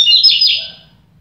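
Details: Double-collared seedeater in a song duel with a second bird gives a short, loud burst of sharp, slurred chirps lasting under a second.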